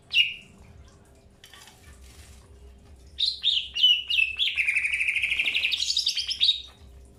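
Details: Greater green leafbird in early pairing: a single sharp note, a quiet gap with faint rustling, then quickly repeated chirps merging into a long trilled rising whistle.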